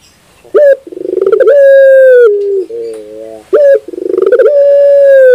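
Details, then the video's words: Barbary dove, known locally as puter, sings two full cooing phrases. Each opens with a sharp rising note and a rapid stuttering roll, then a long sustained hum. Low wavering coos fall between the phrases. "your puter bird will definitely sound"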